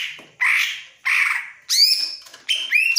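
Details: Greater green leafbird in breeding mood, eager to mate, giving harsh buzzy notes followed by bright whistled slurs, four separate phrases spaced under a second apart.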